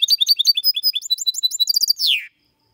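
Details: Goldfinch x canary hybrid (mixto) singing a clean song meant to stimulate males to sing and help young birds memorise it; fast high twittering notes and trills ending in a descending buzzy slur.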